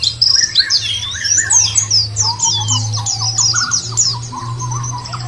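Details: Nature-therapy lure for white-eyes; high twittering and downslurred chirps in quick series, mixed with lower repeated whistled notes from another bird and a prominent steady low hum.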